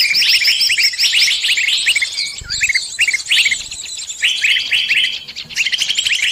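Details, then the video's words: Many birds singing at once on a trapping lure track aimed at every kind of bird: busy, high-pitched twittering and trilled phrases overlap continuously, with a brief low thump partway through. "Pikat burung semua jenis terampuhhh"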